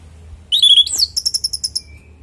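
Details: Orange-headed thrush in full voice, recorded as a singing lure: a short clear whistle sliding to a high squeal, then a rapid run of about eight dry clicking notes.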